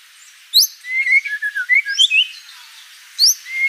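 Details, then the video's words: White-rumped shama song of short slurred whistles and high upslurred notes in a brief varied phrase, followed by a pause and a final rising whistle. "MURAI BATU GACOR ISIAN BANYAK"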